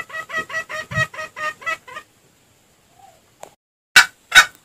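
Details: A wild junglefowl gives a quick run of about eight harsh, harmonic clucks over two seconds, followed after a pause by two loud, sharp bursts; used as a lure call to trap junglefowl.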